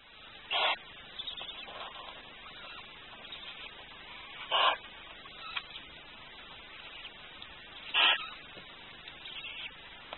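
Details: A male barn owl at the nest, with eggs and a chick cheeping inside one egg, gives three harsh, rasping hiss-like calls, roughly one every three and a half seconds, with faint softer sounds between them.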